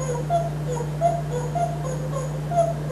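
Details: Male African grey parrot, hatched June 1997 and kept at home in Texas, perched on a napkin holder on a kitchen counter, softly whistling a self-made, mellow melody of short tonal notes that step up and down, over a steady electrical hum.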